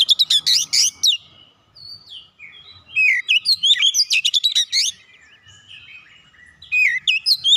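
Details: Oriental magpie-robin with vigorous whistled song used as a trigger for a silent bird. Loud rapid notes open and lead into a short lull. Dense bursts of rising and falling whistles with sharp chips follow, then a final phrase.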